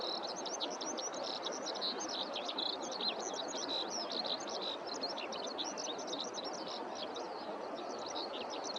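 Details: Eurasian skylark singing over rice fields on a warm spring day, with several birds heard around: a continuous, rapid stream of high, buzzy trills and chirps without pause, over a steady hiss of wind and field noise.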